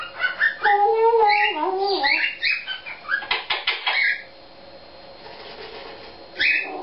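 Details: Pet Eclectus parrot improvising its own song, with varied whistled and wavering notes, then a quick series of sharp clicks, a long quiet gap and one last squeaky note.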